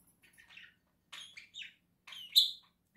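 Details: Two pet budgerigars at home, November 2024: three bursts of buzzy, slightly rasping chirps about a second apart, the last one loudest and highest, in an otherwise quiet room.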